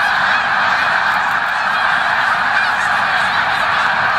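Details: Large flock of snow geese during November 2018 migration at Victoriaville, producing a constant roar of overlapping honks and barking yelps, evenly loud throughout.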